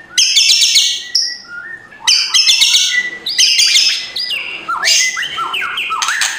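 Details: Energetic white-rumped shama song with crackling kretekan bursts, a morning provoking track for idle birds: dense harsh chatter at high pitch interleaved with quick whistled downslurs and upslurs.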